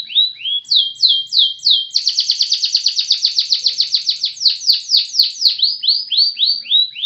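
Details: Energetic canary song. It opens with swooping whistled notes, shifts at two seconds into a fast, dense rattling trill, then eases back into separate down-slurred whistles. No other sounds are heard.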